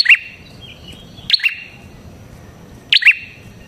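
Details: Red-headed prinia calling. Three loud, sharp chirps, each a quick two-part falling note with a ringing tail, sound roughly one and a half seconds apart.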